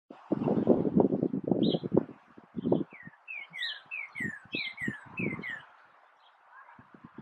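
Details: Northern cardinal singing in a backyard: a rapid series of about eight clear, down-slurred whistled notes in the middle, preceded and underlain by loud low rumbling and thumping noise.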